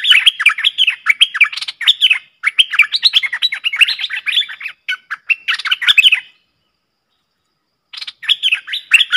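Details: Streak-eared bulbuls, a pair dueling in song on 30 October 2021. Energetic, jumbled chattering phrases pour out for six seconds, go quiet briefly, then resume with more rapid, liquid notes.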